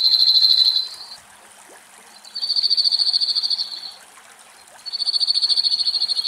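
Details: Cirl bunting, in a Greek forest where a male and a probably young bird bathe at a bird bath, sings three dry, rattling trills on one high pitch, each one to one and a half seconds, with brief pauses.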